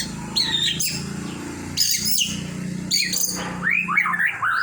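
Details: White-rumped shama song in bursts of bright, broadband chirping notes followed by a whistled, warbling phrase that rises and falls, with a constant low background hum.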